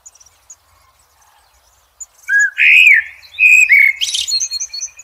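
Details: Blackbird singing in nature: after a quiet start, a mellow fluted warble rises and falls, then ends in a bright, high twittering flourish.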